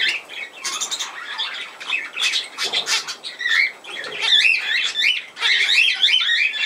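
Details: On 17 November 2024, budgerigars twitter softly at first, then build into louder rhythmic warbling made of rapidly repeated rising-and-falling whistled notes.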